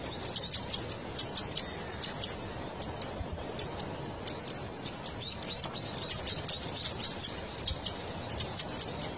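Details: Zitting cisticola, a red cici padi, calling loudly as a lure for wild birds: dense, very high ticking and chipping notes in rapid clusters with short thin whistles between.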